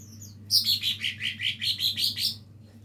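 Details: A young lesser green leafbird practises singing with a rapid string of about ten high, clear, down-slurred notes lasting some two seconds; a faint low hum runs underneath.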